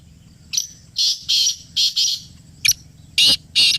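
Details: Black francolin in Pakistan, heard close up: a short sharp note, then a run of harsh, grating, rasping bursts about every half second, each broad and scratchy. A faint low hum sits underneath.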